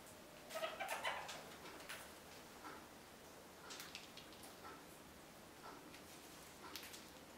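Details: Red-crowned parakeets (Cyanoramphus novaezelandiae), kept birds in winter given a large willow branch to occupy them, with a brief burst of chatter, then scattered soft chirps and clicks in a quiet room.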